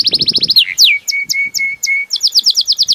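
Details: Belgian canary song: a fast run of high repeated notes, a downward swoop, then a slow series of short low whistles before quick high notes resume, with faint rustling at the start.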